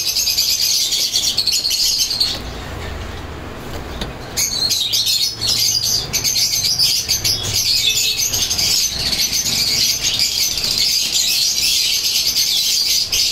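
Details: Atlantic pied canaries, an adult pair kept in captivity, delivering a long unbroken warbling song of quick high trills and twitters, with a brief dip in intensity early on before the trilling resumes strongly.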